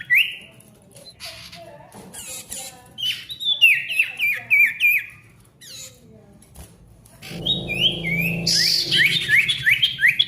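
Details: Vigorous song of a male ashy tailorbird: one clear whistle, quieter scratchy sounds, then fast chains of sliding downslurred whistles, a brief lull, and a final loud flurry of quick repeated falling notes.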